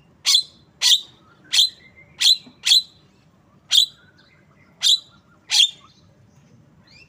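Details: Asian pied starling uttering a rapid series of about ten loud, harsh, explosive chirps, spaced under a second apart, with faint softer notes between them.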